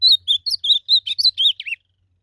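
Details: Wild blue-black grosbeak in a song duel, singing a rapid phrase of about ten clear whistled notes in under two seconds, some notes doubled, finishing with a dropping slurred whistle.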